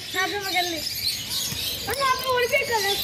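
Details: Brief talking from a blue-and-yellow macaw: two drawn-out harmonic phrases, the first gently falling, the second rising then wavering, with hiss behind.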